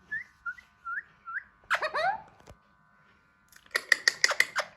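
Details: Soft rising whistles repeated about twice a second, then a harsh tumbling squawk phrase and a rapid burst of sharp notes, from a hand-tame Alexandrine parakeet learning to talk.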